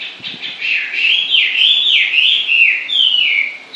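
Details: Bird singing a continuous run of clear whistled phrases that swoop down and rise again, roughly three per second, each slurring between high and middle pitch; background otherwise quiet.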